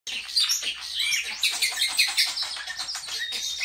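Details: Pet common starling singing on a bed indoors while trying to wake its owner from a nap: a dense, rambling stream of high squeaks, rattles and whistled slurs with no pauses.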